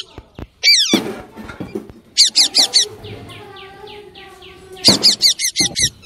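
A parrot gives bursts of harsh, rapid chattering squawks in quick runs of four or five notes, with a lower murmuring voice and faint background sounds between bursts.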